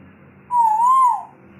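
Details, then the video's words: A grey parrot gives one pure, mid-pitched whistle lasting under a second, wavering gently and then dropping away at the end, over a faint low hum. "Grey Parrot Talking"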